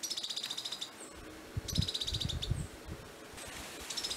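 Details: Mottle-cheeked Tyrannulet (Phylloscartes ventralis) recorded 1 June 2018 in Prados, Minas Gerais, Brazil, giving three high, rapid chattering trills about a second long with brief thin whistles between, over low wind rumble and rustling.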